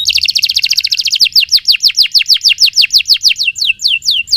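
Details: Canary in full, sustained song, opening with a rapid buzzy roll and shifting into evenly repeated downward-swooping whistles, roughly three per second, steady and loud throughout.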